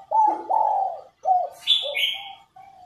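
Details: Spotted dove hen calling to urge males into cooing: two long, low, breathy coos followed by shorter notes, overlapped by a thin, higher chirping bird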